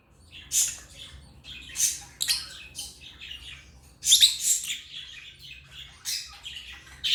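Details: Chirping from African lovebirds, a busy series of piercing, scratchy high squeaks and short squawks, clustered in bursts with brief pauses, a faint hum underneath.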